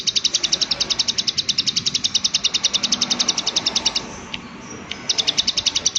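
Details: Actively calling prinia, "klik klik" type: a very fast, dense rattle of high clicking notes for four seconds, a short gap with a couple of isolated ticks, then the rapid clicking resumes.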